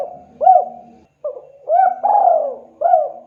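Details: Low, mellow coos from a spotted dove calling out to companions: an arched note, a short pause, then a rising pair and a long descending coo before a final clipped arched note.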